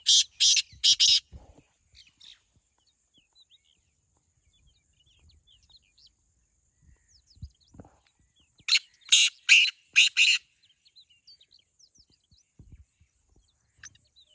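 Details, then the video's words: Two black francolins compared for their voices; here three harsh notes burst out at once, a long quiet gap with faint clicks follows, then a second run of about six rasping, buzzy notes. "Black Teetar Voice"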